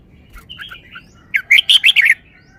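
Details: Red-whiskered bulbul kept in a cage, delivering wild-style song: soft scattered whistles, then a loud fast run of five or six bright, slurred warbling notes lasting about a second.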